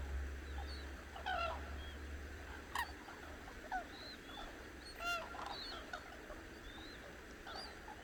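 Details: Cranes that have woken at dawn call on the Hantan River in Cheorwon, central Korean peninsula: scattered harsh, harmonic honks from several birds, loudest near three and five seconds, over a low steady rumble and faint high chirps of smaller birds.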